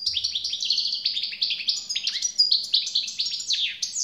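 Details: European goldfinch in continuous, animated song: quick cascades of bright chirps, slurred downward notes and buzzy twitters running without a break, with a brief low murmur at the start.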